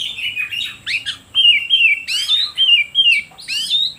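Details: Lure song of an oriental magpie-robin, used to provoke other birds and get silent ones singing: clear whistled phrases, some sliding downward and others sweeping upward, repeated in quick succession with brief breaks.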